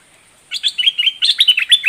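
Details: Loud, close red-whiskered bulbul song of two quick runs of chirpy whistled notes, bright and slurred, tumbling rapidly with barely a pause between them.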